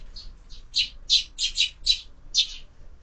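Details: Sparrows at a window-mounted feeder in the evening; eight clear, harsh chirps spaced irregularly over three seconds, growing louder in the middle, near-silent background.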